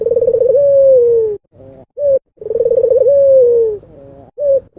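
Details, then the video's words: Albino puter dove singing energetically: a low trilled coo that slides into a smooth falling note, followed by a short clipped coo, the whole phrase repeated twice. "BURUNG PUTER ALBINO ll SUARA BURUNG PUTER GACOR"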